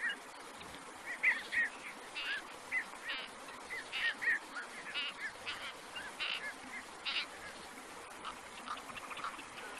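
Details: Black-crowned night heron in the wild giving harsh, hoarse squawks in short bursts, roughly every second, some doubled, over a steady hiss of background noise.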